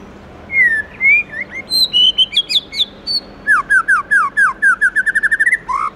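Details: White-rumped shama singing loudly in the morning in its forest-voice style: varied whistled slurs and high chips, then a long run of repeated falling notes that quicken and rise at the end.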